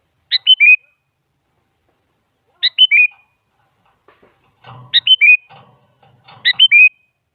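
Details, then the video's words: Sooty-headed bulbul song for luring a silent bird to answer, a female calling a male: four clear whistled phrases, each a sharp opening note then two falling slurs, with faint rough chatter under the later ones. "Suara Burung Kutilang Selalu Dicari Buat Pancingan Jadikan Kutilang Diam Ikut Nyaut"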